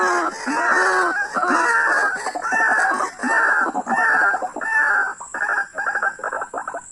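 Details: Wild white-breasted waterhen calling during a hunt, a rapid series of harsh, stuttering notes repeated about eighty times a minute, loud and continuous with slight variation in rhythm.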